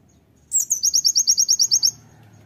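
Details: Oriental white-eye master song for training other white-eyes: a high rising sweep, then about a dozen quick, very high chipping notes, evenly about eight a second, over a faint low rumble.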